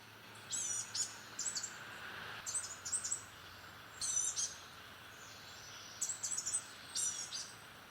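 Blue-gray gnatcatcher giving thin, high, wheezy notes in short clusters of two to four, repeated every second or two over a faint, steady background hiss.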